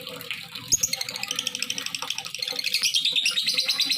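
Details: Lovebird calling to provoke other lovebirds into calling. Dense, fast, shrill chattering runs on without a break, with rapid high chirps and squeaky notes. The stream grows louder and more pulsed toward the end, with a faint low background hum.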